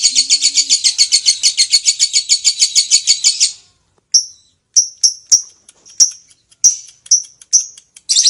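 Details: Lovebird in full voice, ngekek panjang long-trill style: a fast, even, high buzzy trill runs for three and a half seconds and stops, followed by short, sharp, high chirps spaced irregularly about every half second.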